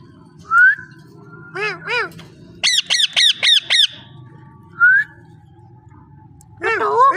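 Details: Parrot calling: a short rising whistle, two arched harmonic squawks, then a fast run of five sharp chattering notes, another whistle, and a harsh trailing squawk, with a faint low hum behind.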